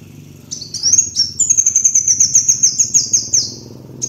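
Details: Kolibri wulung sunbird lure song: a few sharp high chips, then a fast, even, metallic trill of about a dozen pulses over two seconds, bright and piercing, against a faint low drone.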